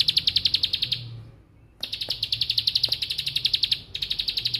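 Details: Rapid 'bren' song of a bar-winged prinia, compared to lato-lato clacking: bursts of quick high ticking broken by a short silence, then resuming in two further runs.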